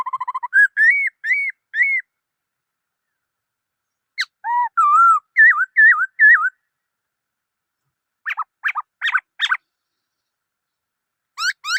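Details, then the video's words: Varied song of a black-throated laughingthrush: a quick trill, bright rising whistles, a run of looping slurred notes, then harsher clipped notes and upswept whistles. "Noog Sab Hwj Quaj Dib Tuaj Zoo Heev {นกมะเกลือร้องเพลงNk makelụ̄x r̂xngphelng}"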